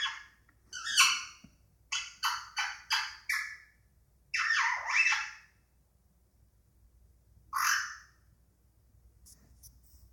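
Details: Male pet Indian ringneck parakeet chattering indoors, not in a talking mood: loud harsh squawks, a quick run of four rasping bursts, then a longer grating call and one more squawk before quiet.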